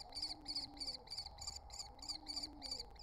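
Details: Three wild common kestrel nestlings at the nest entrance give fast, evenly repeated shrill chittering notes, roughly three a second, over a steady low hum and soft cooing.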